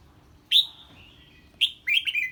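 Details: Red-whiskered bulbul singing its 'ché' song in reaction to an unfamiliar bird: a loud high slurred note, then after a second a burst of quick, bright, falling notes, over a faint background hum.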